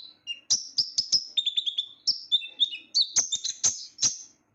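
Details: Small sunbird, the ninja bird or konin, kept by hobbyists for its loud, high voice, singing a lively phrase of thin whistled slurs, quick twittering runs and chips, interspersed with sharp clicks, ending in a brief silence.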